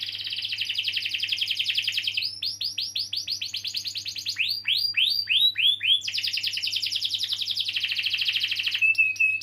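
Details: Canary song used to encourage young canaries or birds that have stopped singing: long trilled roll, then series of rising and falling swept notes repeated several times a second, returning to a fast roll, with a low mains hum throughout.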